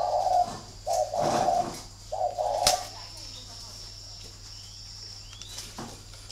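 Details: Caged spotted doves of thổ and thổ pha types facing off in a fight at a bird farm in Ba Vì, Hanoi, Vietnam; three low hoarse coos, then a man speaking and a sharp click.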